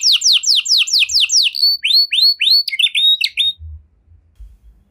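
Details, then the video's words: Canary giving a 'cengkok mewah' song meant to make other canaries sing along. Quick falling whistled notes lead into curved rising slurs and a brief jumbled phrase, then the song stops and only low rumbles remain. "Burung Kenari Mana Saja Pasti Ikut Gacor Setelah Dengar Kenari Cengkok Mewah Ini"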